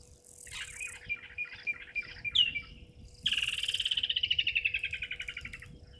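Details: Young martial eagle sitting in a tree across Gowrie dam, Djuma Game Reserve, South Africa, 16:07 on 2 May 2023; softer broken notes first, then a clear rapid run of pulsed whistles descending slowly for over two seconds, faint insects behind.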